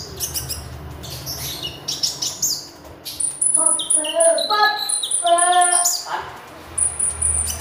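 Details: Magpie robin in lively full song, used as a lure for training birds: sharp high chirps and piercing whistles, then a run of clear stacked tonal notes in the middle, with faint background noise throughout.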